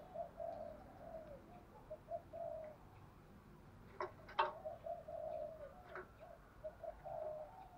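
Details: Spotted dove kept as a lure bird, cooing to challenge and draw in wild doves; soft, mellow coo notes in grouped phrases, with a cluster of sharp tapping clicks midway.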